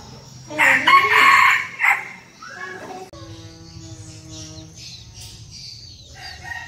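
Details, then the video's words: A small captive red junglefowl decoy rooster, said to crow diligently at dawn, gives one short, harsh crow lasting about a second and a half, rising then breaking off, followed by quieter background hum and faint clucks. "Gà rừng mồi mini siêng gáy, cứ bình minh lên là còn hơn cả đồng hồ báo thức"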